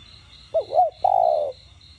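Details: Spotted dove, a cu gáy cooing in the đồng gù and thúc style, used to stir captive doves into calling: two short hooting notes, then one long, low, steady coo. A fast, even, high insect-like chirping runs throughout.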